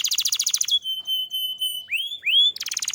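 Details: Canary song meant to prompt other canaries into singing: rapid high rattling trill, then a long steady whistled note, two rising slurred whistles, and a return to fast buzzy trilling.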